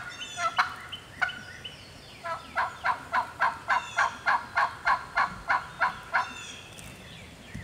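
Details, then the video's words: Wild hen turkey alone in Georgia woods, calling back and getting fired up; two sharp cutting notes, then a steady run of about thirteen raspy yelps, three per second, with faint birdsong above. "Hear that old hen yelping and cutting and clucking like that."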